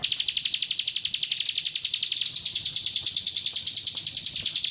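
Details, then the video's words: A Hill prinia from East Java sings 'roll tembak' style: high, sharp chirps in a fast, even series, loud at first and softening slightly while keeping the same quick rhythm. "PRENJAK GUNUNG ROLL TEMBAK"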